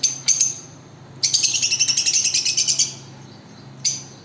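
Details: Lovebirds calling: short shrill chirps, then a fast burst of high, piercing twittering notes lasting over a second, ending with a single sharp chirp; a faint low hum runs underneath.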